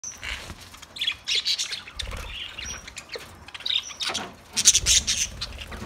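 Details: Budgerigars giving busy, high chirps and scratchy warbles in uneven bursts, with brief sharp squawks and short pauses between the louder spells.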